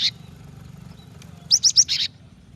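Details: Female cinereous tit summoning the male to sing: a brief opening chirp, a pause, then four quick bright high notes in a tight run, the final one slightly buzzy, over a quiet low hum.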